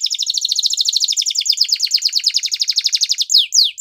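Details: Belgian canary singing a training song: a sustained, fast, evenly pulsed trill in a high register, finishing with two quick descending whistled notes.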